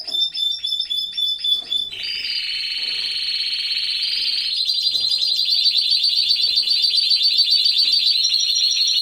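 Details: Canary singing in an aviary at the height of the breeding season: a quick series of clipped whistled notes, then long loud rolling trills held for several seconds, shifting pitch, with faint chirps behind.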